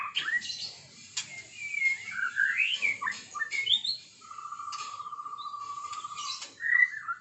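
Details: Morning song of a white-rumped shama: sweeping whistled phrases that rise and fall, a long steady buzzy rattle lasting about two seconds, then more rich whistles.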